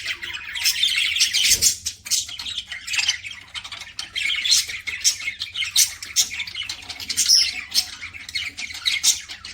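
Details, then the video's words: Pet budgerigar chattering during feeding: a steady, fast stream of scratchy, buzzy chirps and clicks with almost no pause, all high and bright, plus one dull thump early on. "PARAKEET EATING SOUNDS"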